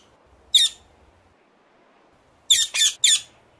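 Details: Ring-necked parakeet giving one harsh squawk, then after a pause three more raspy, high screeches in quick succession over faint low background noise.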